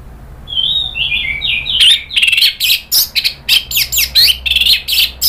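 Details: Orange-headed thrush (anis merah), provoked into emotional 'nratak' and 'ngeplong' singing in Indonesia: descending whistled slurs lead into a dense, rapid series of loud scratchy, buzzy and twittering notes delivered almost without pause.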